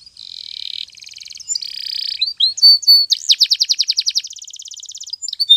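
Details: Spanish Timbrado canary singing a morning training song: long level buzzy tours, brief high whistles, then a rapid series of ringing notes leading into a fine fast metallic trill.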